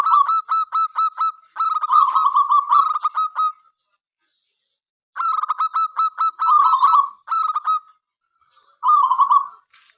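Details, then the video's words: Local zebra dove in full song, sung to invite other zebra doves to call and sing: runs of evenly spaced, clipped staccato notes break into rolling, purring trilled coos. Two long bursts are separated by a silent pause. "perkutut lokal gacor suara MENGGODA apapun jenisnya 5 detik nyaut."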